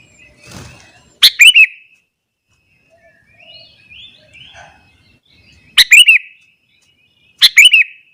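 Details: Sooty-headed bulbul in the morning, singing to provoke other bulbuls: three short bubbly phrases of quick chirps spaced several seconds apart, with faint background twitters between them.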